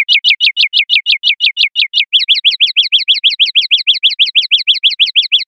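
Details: {'text': "Common linnet singing the 'limpio' style from a 2021/2022 set: a rapid string of pulsing chirps around five per second, shifting after two seconds into a slightly different, bouncing repeated note pattern continuing steadily."}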